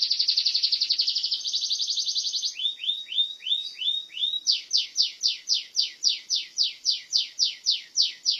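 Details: Burja canary song: a rapid buzzy trill, then several short rising whistles, then a long run of high downward-sweeping notes repeated about three per second, with a silent background.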